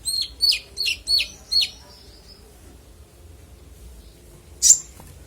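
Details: Konin singing with a clear voice as master audio for training songbirds: four quick high chirps with a trailing whistled tail, a pause, then one loud sharp note.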